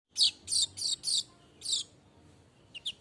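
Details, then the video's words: Streaked weaver singing steadily, unedited: a quick run of five bright, scratchy high chirps, then a pause and three thinner rising notes at the end. "Kicau burung_manyar gacor tanpa henti"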